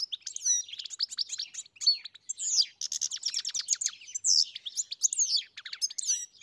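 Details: European goldfinch from a farm pouring out a long tinkling song, rapid chirps, dry rattling trills and slurred high whistles strung together.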